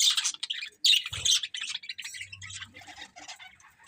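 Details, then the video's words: Budgie chatter: loud raspy chirps in the opening second, a faint knock, then softer warbling chirps that fade away. "Cute Budgies Chirping Sounds"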